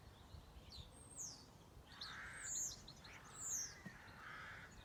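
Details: On a farm, a bird gives loud, high, sharply descending whistled notes spaced about a second apart. Between them come hoarse, lower, drawn-out calls, against steady background hiss.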